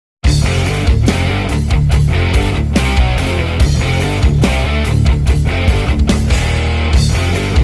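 Loud rock music with heavy guitars and pounding drums fills the whole stretch, with no animal voice standing out.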